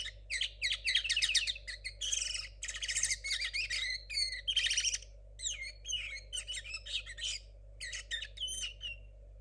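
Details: Young captive linnet hybrid hatched in 2022 and still learning its song: a dense, tangled run of high chirps, buzzy trills and rising whistles, some notes clear and others slurred, delivered almost without pause.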